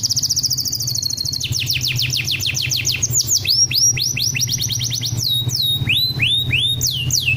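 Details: Champion canary song used as masteran tutor recording: a fast trill of high rising-falling notes, then a long run of downward-swooping whistles and chopped upward sweeps, with a steady low hum underneath.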